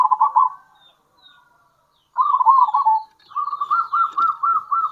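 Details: Local zebra dove calling, kerot and bekur style, to draw in other zebra doves. Brief trilled coo bursts lead into a long, evenly spaced series of rounded cooing notes.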